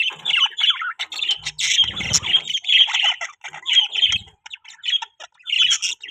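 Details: Budgerigars kept for breeding chatter in short squawky chirps, warbled notes with a few soft low thuds between them.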